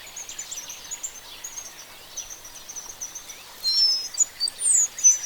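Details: Oriole Finch (Linurgus olivaceus), African species, giving very high, thin notes, faint at first, then a burst of sharp, clear piping near the end over a steady hiss of background insects.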